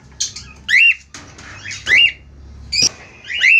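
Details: A pair of budgerigars singing: repeated squawky chirps that rise and then bend down, about every second, mixed with scratchy warbles and a low background hum.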